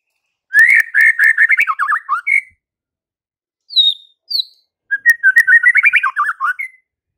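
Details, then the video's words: White-rumped shama in lively song that goads fighter males: a long rapid trill of rolling whistles, two high descending whistles, then another fast warbling phrase. "MURAI BATU FIGHTER akan TERPANCING EMOSI NYA dengan Murai Batu GACOR INI"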